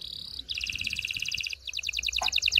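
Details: Canary song meant to stimulate males and females for mating: a high steady tone, then fast repeated double-note trills, a brief pause and another rapid trill with a lower downward note.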